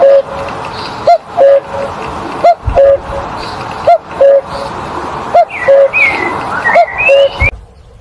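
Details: Steady series of cuckoo calls, each a brief higher note dropping to a longer lower one, about every one and a half seconds, with other birds whistling and twittering around it.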